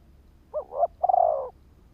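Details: Spotted dove, a ground decoy bird, cooing to lure and provoke wild birds: a short two-note rising-falling lead-in followed by a longer, slightly rolling low coo, heard once over a quiet background.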